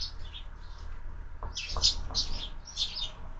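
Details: Sparrows feeding at breakfast in a feeder mounted on a window, fed year-round: soft chirps at first, then a burst of bright, clustered chirps from midway, with a few sharp knocks and a steady low background rumble.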